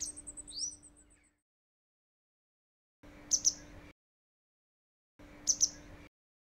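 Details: Grey wagtail begging calls at a nest in a walled garden, where a pair feeds four chicks: a quick run of thin, very high ticking notes and a rising squeak, then two short bursts of sharp doubled chirps, over a faint steady hum.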